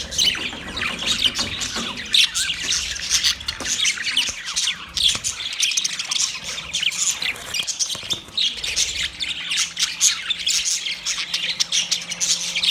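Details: Several budgies chatter continuously while one calls to another, a dense stream of high warbles, chirps and squeaks running without pause, some notes louder than the rest.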